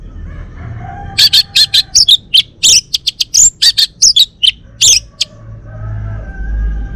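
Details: Male Bali-type orange-headed thrush, a caged house bird, singing a rapid burst of short, sharp, high chips and twittering notes for about four seconds, then a pause with faint low background hum.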